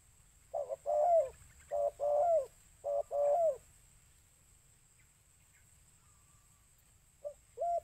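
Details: Spotted dove, used as a lure call: three quick two-part coo phrases, a short note then a drawn coo, then silence and a last pair near the end.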